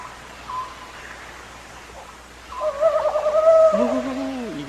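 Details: A male Ural Owl hoots at night to advertise his territory: a drawn-out, wavering hoot of about two seconds with a lower rising and falling note beneath, over faint room hum; the female answers with harsh quacking calls as she seeks him.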